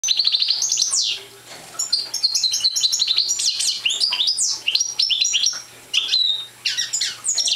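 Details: Young European goldfinch of the parva subspecies, not yet in full song, delivering rapid high twittering phrases of buzzy notes and sharp rising and falling slurs, broken by two short pauses, over a faint steady low hum.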